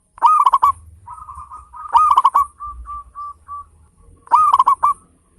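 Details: Loud, strongly singing local zebra dove, kept to prompt other birds into song: three bursts of rapid stuttered coos, with a soft string of short rolled cooing notes between them over a low hum.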